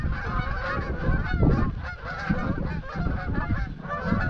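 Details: Greylag geese, a flock of about 200-300, on their evening flight at dusk from a grazing field to Llyn Maelog near Llanfaelog, Anglesey: overlapping nasal honks continuously layered over heavy rumbling wind noise.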